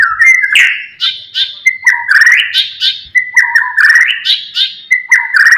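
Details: White-rumped shama song meant to provoke rival birds: rich, repeated phrases that open with a steady whistle and then break into quick warbling flourishes, sung loudly and without a break.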